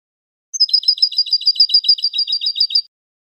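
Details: European goldfinch song: a rapid, even run of bright, high, two-part notes, a sharp upper element over a lower buzzy one, repeated about fourteen times in just over two seconds after a thin introductory whistle; clean background.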